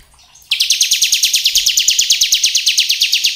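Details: Ciblek kristal, the bar-winged prinia, singing in ngebren style as a lure to stir other prinias: after a brief hush, a fast, even trill of high, clipped chips that runs unbroken to the end.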